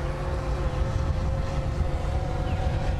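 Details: Heavy, even motor drone with a faint steady hum above it, and no animal voice present.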